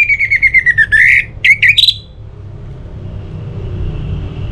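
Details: Orange-headed thrush singing to prompt other birds: a quick row of descending whistled notes, a sharp upward flourish, then silence with faint background hiss.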